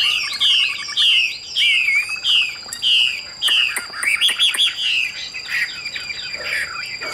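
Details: Caged Chinese hwamei, Vietnam, pitched as good for both fighting and singing: a series of loud downslurred whistles repeated about every half second, then a faster jumble of varied notes and clicks.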